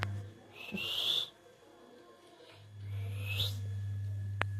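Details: Parrot producing two drawn-out whistles a couple of seconds apart, the second rising at its end, with a constant low hum underneath and a brief click near the end.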